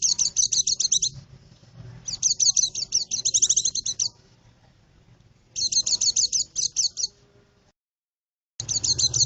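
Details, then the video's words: White-eye song used to lure birds in the forest: high, rapid twittering phrases of clustered chirps, each burst about a second long, repeated with short pauses; faint low hum beneath. "suara burung pleci ampuh buat pikat di hutan"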